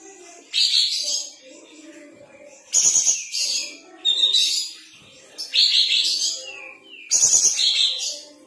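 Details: Energetic song of a sooty-headed bulbul spreading its tail: strong harsh, chattering phrases mixed with high sharp whistles, delivered in bursts roughly every one and a half to two seconds over faint background twitter.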